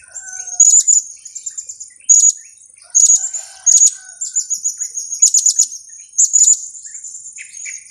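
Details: Kiak call of a blue-crowned hanging parrot, used as a trapping lure: loud, shrill, very high notes in repeated bursts about a second apart, joined by rapid trilled chatter, over a constant high-pitched hum.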